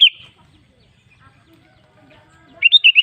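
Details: Kutilang, the sooty-headed bulbul, used as a lure so other bulbuls start singing: a brief whistle at the start, then quiet, then a fast bubbly run of four or five fluty notes at the end.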